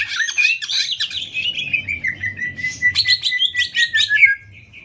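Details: Greater green leafbird song for teaching other birds: quick warbled phrases and a long steady whistle, then rapid repeated sharp chirps ending abruptly, with low background rumble.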